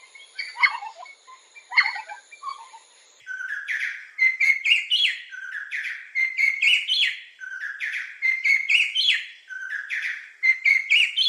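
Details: Sri Lanka Spurfowl rollicking call with rising, piping ki chaiku phrases. Sharp falling notes open, then a fast, rhythmic series of piping notes and rising bursts repeated about four times a second.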